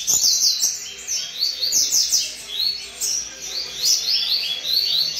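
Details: Double-collared seedeater song: quick, high, twittering phrases of bright slurred notes, repeated almost without pause over faint low background sounds.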